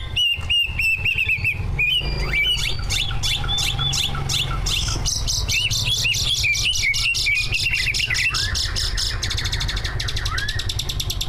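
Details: Greater green leafbird, a competition bird, two birds recorded together, singing a full mimicked song used to prompt other leafbirds to sing; rapid varied whistles, chattering and buzzy bursts over a constant low hum.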